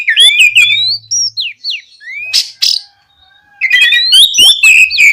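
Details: Oriental magpie-robin singing gacor ngeplong to encourage untrained magpie-robins to sing: bright warbled whistles, separate slurred notes, two harsh rasps, then a fast busy closing phrase of chirps and whistles.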